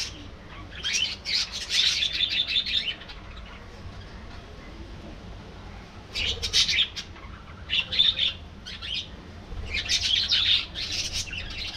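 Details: Budgerigars living in a colony sing in three bouts of fast, buzzy, high-pitched warbling chatter, each a couple of seconds long, separated by quieter gaps with faint background noise.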